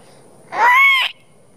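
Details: Sandhill crane, one of four apparently responding to imitated calls with display, gives one loud, trumpeting, overtone-rich call of about half a second that arches slightly upward then falls, possibly a mating call; otherwise quiet.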